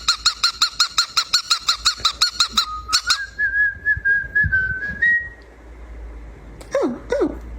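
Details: A pet cockatiel singing: a rapid run of about fifteen evenly repeated piping notes, then a long wavering whistled phrase, and finally two swooping descending whistles, with a low steady hum behind.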